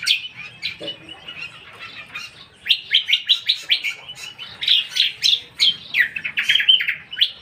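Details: Lesser green leafbird song opening quietly with soft scattered notes, then building into a lively stream of quick, sharp whistled chirps and chatter repeated several times per second for the second half.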